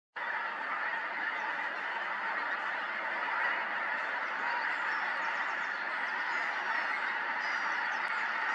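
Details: Pink-footed geese at Montrose Basin in October 2020, a large flock giving a continuous dense chorus of overlapping high honking calls and yelps, steady throughout.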